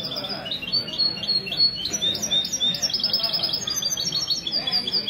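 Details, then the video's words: European goldfinch singing in mistou style on a Sunday morning at a café in Ksar El Kebir, Morocco, 16 February 2020: rapid high twittering, trilled runs and rising notes, with steady background chatter of people. "تغريد الميستو من جمعية لكوس للحسون الدهبي"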